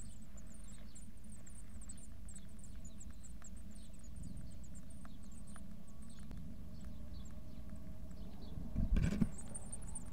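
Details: Eurasian blue tit (Cyanistes caeruleus) nestlings at the nest in early morning, 2 May 2024, around feeding time: very high, thin, rapid chirps continuously over a steady low rumble, with a brief louder knock near the end.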